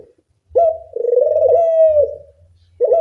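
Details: Loud Barbary dove lure for teaching doves to call: after brief quiet, a sudden rising onset opens a long, even, humming coo of about a second and a half that fades away; another coo begins at the end.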